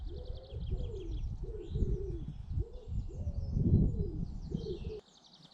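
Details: British garden birds: hollow cooing phrases repeat against heavy low rumbling noise, with bursts of thin, high trilling chirps above; the sound drops away suddenly near the end.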